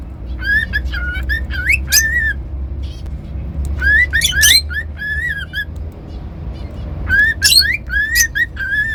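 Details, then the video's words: Cockatiel whistles in quick clear phrases, notes swooping upward then holding steady, mixed with brief shrill chirps, three bursts over a low continuous rumble. "Cockatiel whistling sounds"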